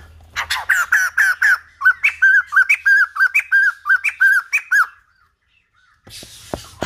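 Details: White-crested laughingthrush in old-forest style song for training a young bird's voice: fast sequence of loud, clear, bouncing whistled notes repeated about three per second for five seconds, ending in silence and then a noisy rustle.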